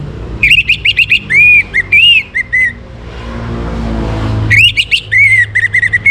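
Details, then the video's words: Orange-headed thrush in a morning song meant to rouse birds into breeding condition. Quick runs of clear repeated whistled notes and longer arched whistles, a pause with low rumbling, then another fast whistled burst. "Naikan Birahi ANIS MERAH pancingan PAGI HARI"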